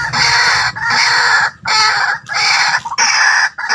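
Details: White-breasted waterhen calls played to lure birds: loud, harsh, croaking bursts of roughly 0.7 seconds each, repeated steadily about five times with short silent gaps between them. A faint low hum sits underneath.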